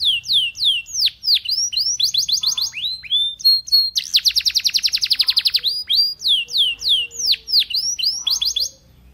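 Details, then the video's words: Singing Belgian canary encouraging other canaries to sing, loud and varied: repeated down-slurred whistles, short buzzy phrases, then a long rapid trill of even notes, before returning to sweeping whistled notes. "Belgian Canary Invites All Canaries to Sing"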